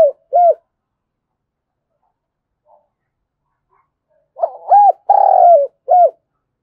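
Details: Spotted dove cooing to rouse other doves into cooing quickly. Two short hooked coos open, then after a pause a full phrase follows: stuttering lead-in, rounded coo, long drawn falling coo and a clipped final note. Background is quiet.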